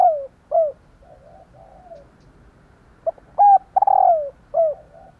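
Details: Female spotted dove calling to stir males into cooing: short low coos, some falling in pitch, given in loose bursts with gaps, then a cluster of louder coos and a long descending note near the end.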